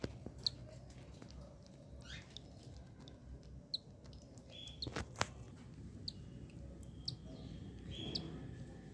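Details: First-day yellow cockatiel baby, newly hatched, giving sparse tiny high cheeps and a couple of brief thin whistled notes, separated by quiet gaps, with low background rumble and occasional knocks.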